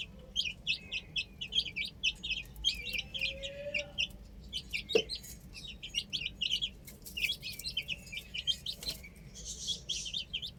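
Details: A group of baby chickens playing on a roof keeps up rapid, shrill peeping in busy runs, broken by a sharp knock midway and a faint lower tone.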